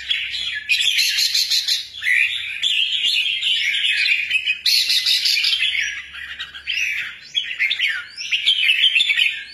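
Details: An albino red-whiskered bulbul in energetic song, pouring out rapid chirps and buzzy twitters in overlapping bursts, with a few sharper rising whistled notes toward the end and a faint low hum behind.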